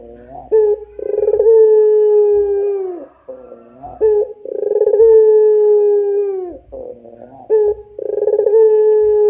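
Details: Dove cooing in the drawn-out pelung style: three phrases at regular intervals of about three and a half seconds, each a short rolled stutter followed by a long level low coo dipping at its tail.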